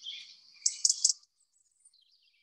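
A European robin sings a brief, high, thin warble that breaks into quick bright trills, then trails off into a few faint, scattered notes.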